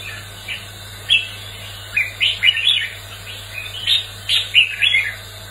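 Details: Red-whiskered bulbul singing competitively: after a lone note, a lively cluster of short looping chirps and trills over about three seconds, with a faint steady background hum.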